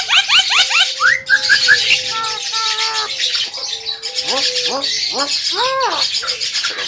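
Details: Javan myna, a lively singer offered as a master recording for training birds, giving a varied mix of quick rising chips, level whistles and rich arched calls, with busy hissing noise behind.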